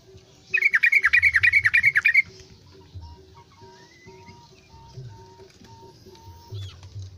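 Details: A captive Yellow-vented Bulbul, once reluctant to sing and now singing again after about six weeks of care, gives a quick, bright burst of about a dozen chattering notes, then softer thin whistles repeating every half second over a low hum.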